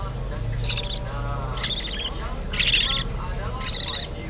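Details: Budgerigar chicks begging while hand-fed: four harsh, scratchy buzzing bursts spaced about a second apart, with a faint low hum running through the first half.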